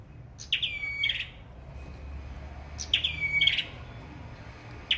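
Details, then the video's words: Sâu đầu đỏ bird singing competitively, heard a little more distant: short high phrases of bright, sliding whistles, repeated roughly every two and a half seconds over a low background rumble. "Sâu Đầu Đỏ Hót Đấu"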